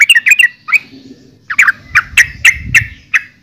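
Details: Yellow-vented bulbul (trucukan) giving a few quick bubbly notes, then a short pause and a string of separate sharp chirps over low rumble.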